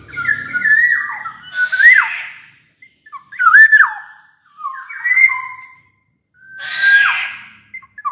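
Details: Black-naped oriole giving clear whistled phrases that drop sharply at the end, some with a rasping edge, spaced by short pauses; song used to stir silent orioles to sing.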